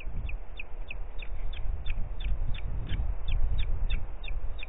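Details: Booted eagle in Parc Natural dels Ports, 4 July 2021, early afternoon: a long series of thin, sharp whistled notes repeated roughly three times per second, over heavy low rumbling wind-like noise.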